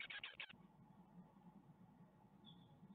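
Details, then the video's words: Great tits nesting at Ostwald, with fledglings leaving on 14 May 2021, webcam audio: one half-second burst of harsh rapid chattering at the start, then only hum and a faint thin whistle. "Les 4 départs - 14/05/2021 - Les Mésanges Charbonnières d'Ostwald"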